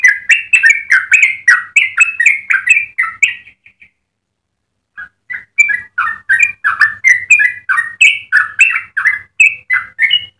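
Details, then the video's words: Yellow-vented bulbul singing a long rattling song, recorded for tutoring other birds and luring other bulbuls: fast chattering, warbling phrases, about four notes a second, broken by a pause of over a second, then resuming. "Trucukan gacor ropel panjang cengkok termerdu untuk pancingan dan masteran"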